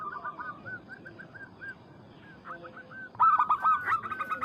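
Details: Local zebra dove calling a rival: soft, distant, wavering coos for three seconds, then a sudden loud, close burst of rapid, harsh-edged cooing notes.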